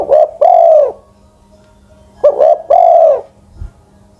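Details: Spotted Dove song from an old decoy bird aged over ten years: two deep cooing phrases, quick clipped notes leading into a drawn-out, slightly falling coo, with a faint thump near the end.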